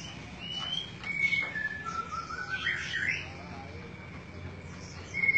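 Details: Greater green leafbird (cucak ijo), isian Cililin song style: soft, sliding whistled phrases that dip and rise, then a long thin steady whistle and a brief high note at the end, with low background hum.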